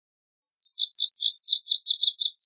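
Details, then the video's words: High, rapid Lazuli bunting song of slurred buzzy notes and paired sweeps that runs on to the end without a break, with no other sounds. "Lazuli Bunting Song! Lazuli Bunting Call! Sound! - Azulillo Lapislázuli Canto - Passerina Amoena"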